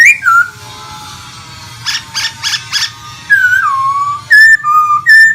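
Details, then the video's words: Pet laughingthrush in Vietnam that sings while dancing and fanning out; clear falling whistles separated by four quick rasping bursts, then more ringing whistled notes alternating high and low. "em khướu hót múa xòe như máy bay"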